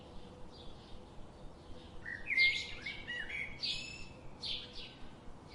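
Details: Forest birdsong attributed to a robin: a series of high, thin, warbling and trilled phrases separated by short pauses, each phrase shifting in pitch. Light background chirping and a faint steady low hum.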